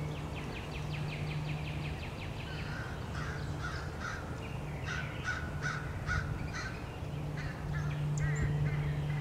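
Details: Mobbing American crows pursue a male bald eagle at its Norfolk nest, 30 March 2016: a rapid run of short caws opens, then louder, spaced harsh caws from several birds, with constant low droning hum beneath.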